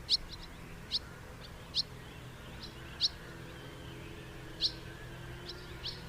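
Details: Common house martin (Delichon urbicum), call.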